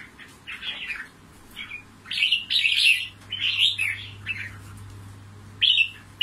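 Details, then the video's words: Red-whiskered bulbul selected as a fighting bird, trapped in Cao Bằng, Vietnam, repeats rich, rolling warbles in bursts, pausing for about a second and a half before a final loud phrase; mains hum audible throughout. "CHÀO MÀO BẪY ĐẤU VIP CAO BẰNG"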